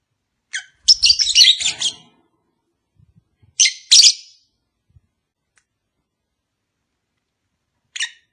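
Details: Lovebird chirping meant to encourage a caged pair that has not yet bred: a short high note, then a long run of grating, chattering squeaks, a second harsh burst a few seconds later, and a final sharp chirp.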